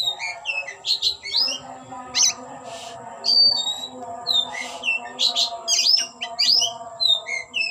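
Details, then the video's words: Oriental magpie-robin performing with its tail fanned open: lively varied song of sharp sweeping whistles and chirps in rapid phrases, interspersed with short buzzy rasps, over a constant faint electronic tone. "Kicau‘an Burung Kacer Ngeplay buka ekor"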